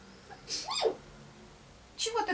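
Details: A pet African grey parrot, which likes to imitate coughing and sneezing to get attention, mimics a sneeze indoors: a sharp, breathy burst falling into a short tone, then a second similar burst, in a quiet room.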